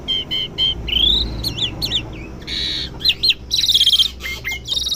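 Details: Asian pied starling kept in a home, learning calls: a varied medley of steady whistles, upward glides, wavering looped notes and harsh buzzy bursts in quick succession, with a low background drone.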